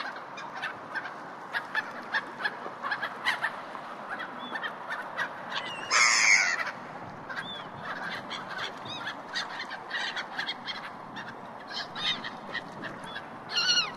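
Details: A busy chorus of gulls at a harbor gives harsh, yelping squawks, with one loud burst of calls standing out.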